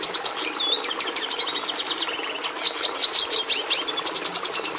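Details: Red siskin (Carduelis cucullata) singing a fast twittering song: rising and falling slurred notes, a buzzy rattle in the middle and chattering trills, continuous and energetic, over faint steady background hiss.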